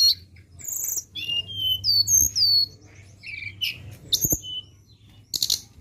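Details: Lure recording of a flowerpecker: rapid, very high, thin whistled notes, some sliding down and some rising, strung into lively twittering phrases with short gaps, plus a couple of low thumps.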